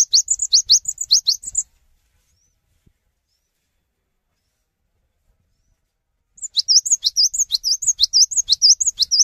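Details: Cinereous tit in full song, inviting other tits to sing along: two bursts of rapid high notes, upward flicks mixed with wavering whistles, separated by a long silent pause of about five seconds.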